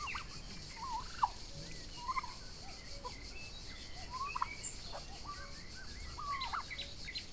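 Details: Young turkeys of the Royal Palm and Broad Breasted White breeds feed outdoors in summer, making many thin whistled peeps, often rising or slurred, scattered throughout against a constant cricket-like drone.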